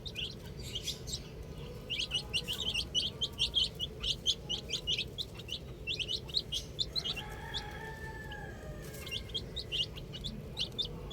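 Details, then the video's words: Chicks of domestic chicken, playing with a ball, give rapid high piping chirps in overlapping bursts; a faint drawn-out squeaky tone appears briefly midway, with low hum underneath. "Cute Little Chicks Chirping Sounds"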